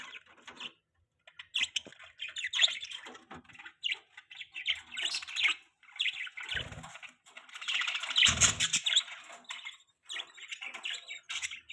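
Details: Happy pet budgerigars chirp and chatter steadily, sharp high twitters and scratchy warbles in quick irregular bursts, with two brief low thumps.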